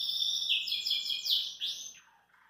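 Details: A relaxed Belgian canary perched at a kitchen sink sings a bright, high, continuous warble of rapid rolling trills and sweeping notes, fading out at the end.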